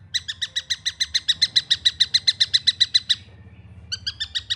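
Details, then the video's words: Juvenile long-tailed shrike delivering a quick chain of raspy chirps that swells in volume, falls silent for nearly a second, then resumes with a few further notes. "MASTERAN ASLI SUARA ANAKAN TENGKEK BUTO!"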